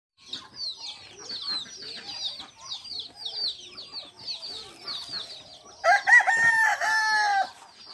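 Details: Farm turkeys near Sangrampur station, Kolkata, with a dense chorus of short high chirps that runs throughout. Near the end come louder, harmonic, wavering calls, held for about a second and a half.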